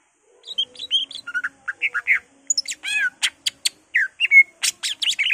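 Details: Excitable greater green leafbird song rich in borrowed phrases from birds such as magpie-robin and laughingthrush: a fast, varied jumble of slurred whistles, harsh rasping notes and sharp high clicks, delivered almost without pause.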